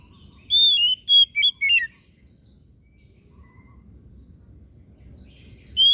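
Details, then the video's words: An oriental magpie-robin, kacer daput, sings a phrase of clear whistles dropping through fast twisting notes, then soft buzzy warbles, and starts a new whistle at the end. "KICAUAN KACER DAPUT MEMPESONA"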